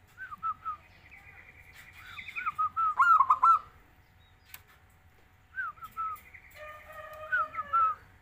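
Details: Zebra dove, kept and trained as a frequent singer, repeating several rolling cooing phrases of quick mellow notes, with one loud rattling burst partway through, sharp clicks, and higher chirps from other birds in the background.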